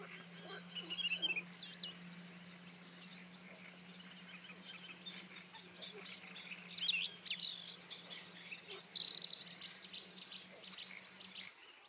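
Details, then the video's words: A rufous-tailed scrub robin sings short, varied, sweet whistled phrases every few seconds, over a steady high insect buzz and a low constant hum. "Тугайный соловей. Прекрасная песня"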